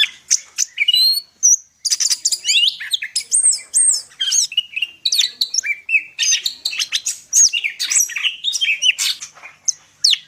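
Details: Greater green leafbird, Medan type, in nonstop full song of mixed imitations: fast high twitters, squeaky slides and buzzy bursts pouring out almost continuously across ten seconds.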